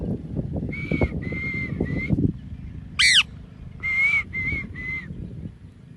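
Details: Pet parrot calling: a run of steady, level whistled notes in short bursts, broken by one harsh, buzzy squawk, then more even whistles. Low rumbling and rustling noise fills the first half.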